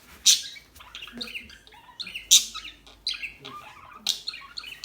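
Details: Calm small birds, several together, giving dense high chirps and short twittering notes, with sharper loud squeaks around every second, over a faint low hum.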